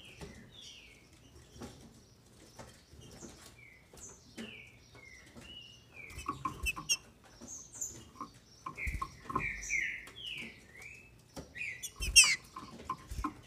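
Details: Female green-winged saltator in captivity in Brazil, singing to excite males: sparse whistled slurs at first, building to a busier cluster of quick falling notes near the end, amid clicking cage sounds.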